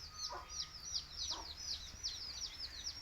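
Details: Baby chicks of a Tamil native chicken (nattu kozhi) chirping: rapid, high, downward-sweeping peeps repeated almost three times a second, clear over a low background hum.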